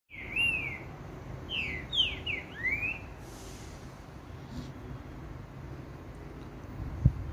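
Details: Green-winged saltator, known as trinca-ferro, singing the song style called "cadê meu boi" on 15 July: a burst of loud, slurred whistled notes, some rising and some falling, packed into about three seconds, followed by a steady low background hum.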